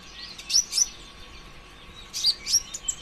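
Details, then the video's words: Sunbird, known locally as konin ijoan, singing as a lure to spur other birds into song: two quick clusters of sharp, very high chirps and squeaky whistled notes separated by a short pause. "PANCINGAN ampuh suara konin ijoan KONSLET"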